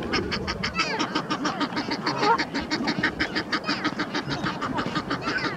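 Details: Egyptian geese in a prolonged fight between two males on the Round Pond, a mate shouting encouragement; irregular hoarse honks mixed with overlapping squealing calls and splashing.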